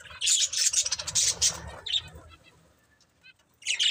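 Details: Budgerigars from a breeding pair chirping in a quick, bright series of high notes, about two per second, over a low background rumble, then near quiet and a final chirp burst.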